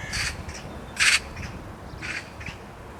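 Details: Perched on a post in Zamudio, Txorierri, Bizkaia, a carrion crow calls in 2020 with loud, rasping caws, one very strong burst in the middle and softer ones before and after, roughly every half second to second.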